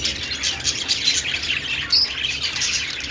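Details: Short burst of budgerigar song: rapid buzzy twitters and chirps with a single sharp, piercing squeak near the middle.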